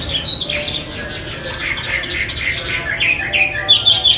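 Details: Chinese hwamei on a training recording for murai, kacer and cendet; a moderately loud, varied stream of short whistles and chattering notes, ending in a clearer sharp whistle.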